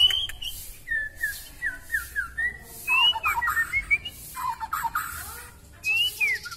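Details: Long-tailed white-rumped shama of Kalimantan in energetic song full of imitated filler phrases: a series of evenly spaced falling whistles, then rich rattling warbles broken by high rising whistles.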